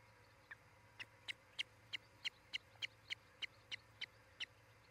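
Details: Osprey at a nest near Charlo, Montana, on a nest camera, July 2018: about thirteen short, piercing whistled chirps, evenly spaced roughly three per second, over a low steady hum.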